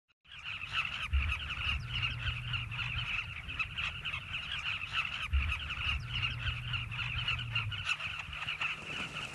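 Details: Nesting colony of migrant Southern carmine bee-eaters in river banks, South Luangwa National Park, Zambia: a dense, unbroken chorus of many overlapping harsh, chattering calls, with a low rumble underneath at times.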